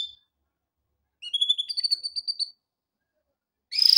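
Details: A male canary sings a training phrase, a short series of quick chirping notes stepping upward, then a pause before another burst begins.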